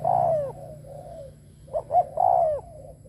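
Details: Decoy spotted dove cooing to lure wild doves: a loud, long, downward-sliding coo, then softer trailing coos, two short rising notes, and another long falling coo.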